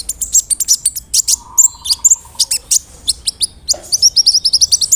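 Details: Big-bodied, actively singing brown-throated sunbird used as a lure to agitate other sunbirds: dense bursts of sharp, very high chirps and short whistled slurs, with a steady low hum-like tone running underneath for a while.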